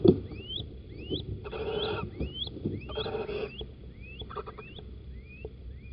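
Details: Little owl pair, male and female, in a nest box at Holten on the morning of 4 March 2020; rising whistled squeaks repeated steadily, interrupted by two longer harsh rasping bursts and soft thumps.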